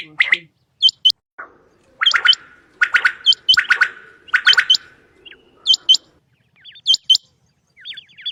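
Rain quail giving loud, sharp, metallic paired notes, repeated in quick bursts roughly once a second, with thin high twittering notes between them.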